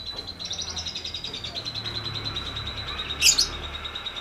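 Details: Lovebird ngetik ngekek song, used as training audio for birds that have stopped singing: a long rapid rattling series of high notes, then a brief loud sharp chirp near the end.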